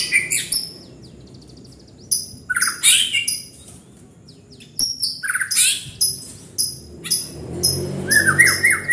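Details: Song of a white-rumped shama in separate bursts: rapid high chattering notes and falling whistles, with a few pauses and a closing series of short descending whistles.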